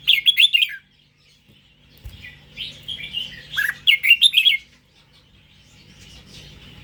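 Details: Indo-strain red-whiskered bulbul giving three short bursts of rich, chattering warbles separated by pauses. The third phrase is loudest and most rapid, with a faint thump and quiet room noise between phrases.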